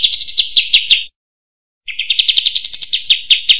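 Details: Sooty-headed bulbul song used as a songbird training recording: fast, chattering high twitters in quick runs of about three notes a second, broken by a brief silence.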